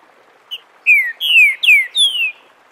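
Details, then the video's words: Green-winged saltator (trinca-ferro, Saltator similis) singing the 'Bom dia seu Chico liso' dialect, recorded live as a model for teaching fledglings: a short high pip, then four clear whistled phrases, each sliding downward, in about two seconds against quiet. "Trinca ferro canto Bom dia seu Chico liso para ensinamento de filhotes"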